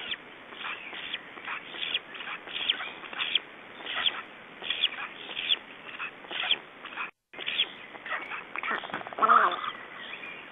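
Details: Black stork chicks left alone on the nest in Estonia, 3 June 2012, 19:18: rapid raspy chattering in repeated bursts, a brief dropout midway, then a louder harsh squeal near the end.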